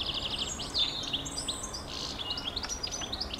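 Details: European goldfinch song: quick bright twittering with liquid chirps, short whistled slides and buzzy fragments in a continuous high-pitched stream over a steady background hiss.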